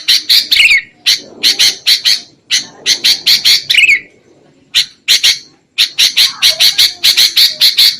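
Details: Sooty-headed bulbul lure call for trapping: rapid scratchy chattering bursts, some ending in a short downslurred note, broken by brief gaps, then dense chatter again.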